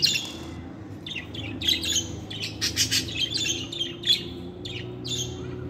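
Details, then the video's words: Budgerigar warbling a happy song, a continuous scratchy chatter of high chirps, clicks and short squeaks that rises into a denser flurry midway. Faint low background hum. "Singing Budgie - Happy Song |for Lonely birds to make them happy Budgie Sounds"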